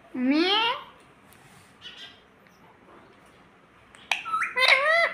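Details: Talking rose-ringed parakeet kept as a pet, said to say "mummy", begins with a rising, nasal, harmonic syllable, falls quiet with soft noises, then ends with quick, squeaky, speech-like notes.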